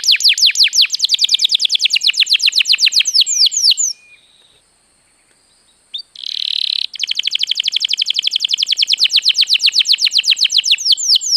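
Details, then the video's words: Canary (kenari) song used as a lure so other birds sing actively. Long fast trills of downswept notes break for about two seconds of near silence with a short buzzy burst, then the trill resumes. "suara burung kenari untuk pancingan agar gacor"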